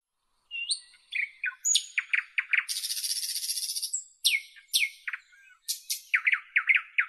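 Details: Nightingale singing a varied phrase: high thin whistles, sharp downslurred chirps and stuttering notes, then a long high buzzy rattle before more rapid, descending chirps. Quiet background.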